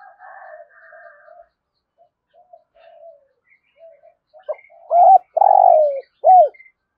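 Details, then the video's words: Soft faint coos give way to a loud spotted dove phrase in the thúc gù style with a thổ rền voice: a short note, a double coo, a long rolling downward coo and an arched closing coo. "Tiếng cu gáy thúc gù giọng thổ hay rền rền"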